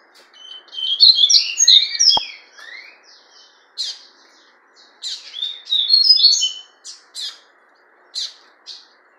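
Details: Double-collared seedeater, fawn ('fulvo') captive bird: a rich jumble of high whistled and slurred notes, then spaced chips and a second warbled burst, over a soft steady hum with one sharp click.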